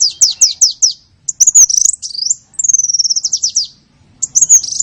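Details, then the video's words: Small-bird call for luring small birds: a quick series of high downslurred notes, a buzzy rising trill, then a long high whistle that dissolves into rapid chattering chirps, with another trill at the end. "SUARA PIKAT BURUNG KECIL"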